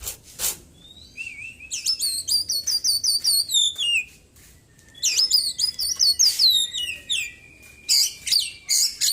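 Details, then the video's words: Oriental magpie-robin with a white breast, kept caged and in daily care after its moult, singing insistently with mimicked small-bird phrases. Sharp notes and a low whistle lead into two long, high, wavering trill sequences. "KACER GACOR ISIAN BURUNG KECIL PEDES"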